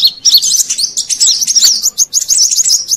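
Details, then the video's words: Lure sound for wild Brown-throated sunbirds: a continuous chattering stream of very high, squeaky, rapidly warbling chirps lasting the full three seconds. "Suara Pikat Burung Kolibri Kelapa Manggar"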